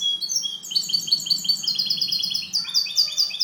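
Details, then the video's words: A captive goldfinch hybrid, kept as a song tutor, sings a fast, bright, clean twitter of high, rapid notes running without a break, over a faint low hum. "MIXTO JILGUERO CANTO LIMPIO"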